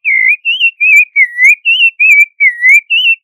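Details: Creamy-bellied thrush repeating clear, slurred whistled notes, some dipping and others rising, about three per second, pure-toned and loud.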